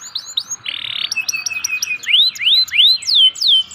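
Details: Local canary lure song for canaries that sing little. Brief chirps, a short harsh buzz, then a chain of loud looping whistles, each rising and falling.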